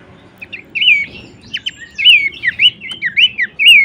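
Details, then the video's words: Bush warbler tutor song: lively chatter of twisting whistled notes with sharp upswept accents, delivered in quick succession and ending on a loud looping whistle. "materi vokal mewah cetak jawara dengan masteran Topcerr khas burung pelanduksemak"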